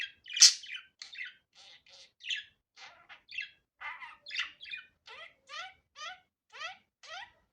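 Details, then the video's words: Budgerigar, natural sound without editing: opens with a loud squawk, then a row of short chirps followed by evenly spaced, quick descending tweets about twice a second. "Muhabbet Kuşu Doğal Sesi"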